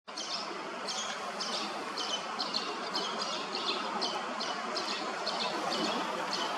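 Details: Late brood of common linnets under a bridge in Hrodna, western Belarus, 12 September 2025, with the male still feeding fledglings as large as himself; short high chirps repeat about twice a second over a steady rushing background noise.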